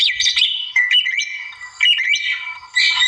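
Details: Vigorous song of a wild white-rumped shama aimed at a rival, loud squeaky and whistled phrases delivered in short bursts about every second, bright and high.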